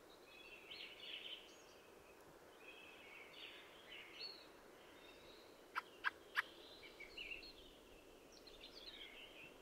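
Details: Singing fieldfare with scratchy, squeaky warbled phrases repeated throughout, interrupted around the middle by three abrupt harsh chack notes in quick succession; steady hiss behind.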